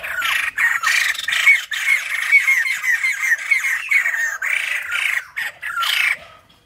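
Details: A caged wild-caught white-crested laughingthrush, one of a pair in which the smaller bird is the male, gives a loud, harsh cackling chatter: rapid squawky notes mixed with brief clear whistles, almost without pause.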